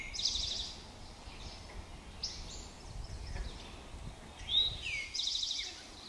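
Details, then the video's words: A male Eastern Towhee with a red seed stuck on his beak sings twice, brief high introductory notes then a fast buzzy trill, drink-your-tea pattern, over low outdoor rumble; Pleasant Valley Wildlife Sanctuary, Lenox, Massachusetts, 26 June 2024. "eastern towhee singing"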